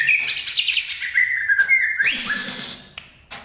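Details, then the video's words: Banyuwangi green leafbird singing a varied phrase of whistled slurs and held tones, ending in a bright high chattering passage and a few faint clicks. "Burung cucak ijo asli Banyuwangi"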